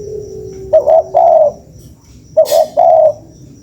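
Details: Spotted dove calling as a lure sound: two hoarse cooing phrases, each a short double note followed by a longer drawn-out coo, separated by a pause of about a second, over faint steady background hum.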